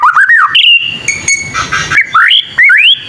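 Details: Young white-rumped shama learning to sing: a few rising whistles, a held steady whistled note, then a harsh buzzy rasp and further upward-sweeping clear whistles.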